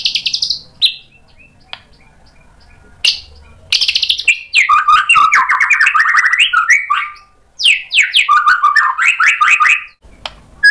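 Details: White-rumped shama provoked and agitated into answering song, showing its mimicked repertoire: a high whistled opening, quiet gaps, then loud rapid warbled phrases, mid-pitched and choppy, running for several seconds before a short break and another burst.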